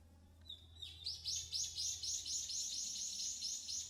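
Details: In Yanbaru forest on Okinawa, an Okinawa woodpecker starts with a thin single note, then launches a steady, rhythmic string of high, sharp calls, about four each second, with a low hum beneath.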